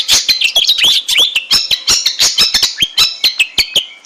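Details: Long-tailed shrike in its natural habitat: rapid scratchy chatter woven with short whistled slurs, the notes spacing out toward the end.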